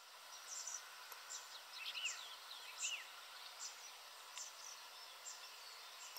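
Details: A European goldfinch on the bank of the Miño river at Tomiño, Pontevedra, Spain, gives a faint, tinkling twitter of quick high notes with a few clearer arching chirps, over a steady background hiss.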